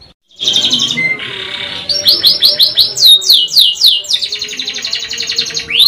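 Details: Canary singing in the Indonesian long rolling, 'shooting' style known as ngerol nembak: a buzzy opening note, then fast repeated descending high notes, followed by a long rapid trill and a final rising sweep.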